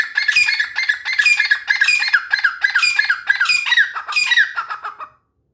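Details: Grey francolin (Ortygornis pondicerianus) giving a loud, harsh, squeaky series of ringing notes, repeated about twice a second for five seconds before stopping abruptly.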